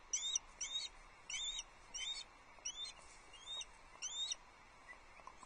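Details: Osprey chick on the Loch Arkaig nest, 9 July 2022, calling as breakfast arrives and it tries a quick nibble; seven short, sharp, high chirping bursts spaced roughly every 0.7 seconds, faint against a steady soft hiss.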